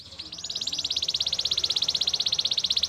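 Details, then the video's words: Canary champion song used to train other canaries: a fast, even trill of buzzy high notes, about fifteen per second, swelling slightly in loudness and holding a steady pitch for three seconds. "Canary training champion song!! Canary's most powerful song for training"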